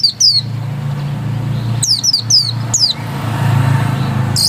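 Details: Oriental white-eye (pleci dakun) giving scattered high, falling whistled notes in its ngotot song, a few at a time, over a steady low rumble like passing traffic.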